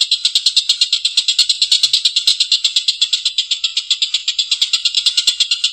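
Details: Rough, drawn-out laughing call of a Collared kingfisher in full calling form. Continuous rasping notes repeat rapidly and evenly for nearly six seconds, with occasional sharp clicks.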